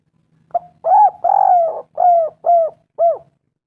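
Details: Persistent spotted dove song in the kuk3 style, used to stimulate doves to call: a quick introductory note and five mellow, low coos, the second prolonged, the others shorter and regular.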